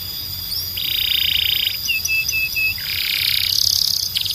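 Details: High canary-like song made of sustained flat rolled tones and short steady whistled notes, with a bright continuous trill towards the end, steady faint background hiss.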